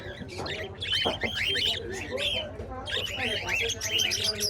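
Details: Cockatiels caged in a pet shop in Islamabad, Pakistan, giving repeated arched whistled chirps, rising then falling, with a crowded chatter of other birds throughout.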